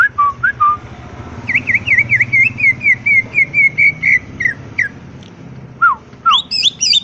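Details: Greater green leafbird singing full fill-in song, crest raised while perched. Low whistles, then a long run of buzzy slurred notes and rising whistles, over steady low mechanical rumble.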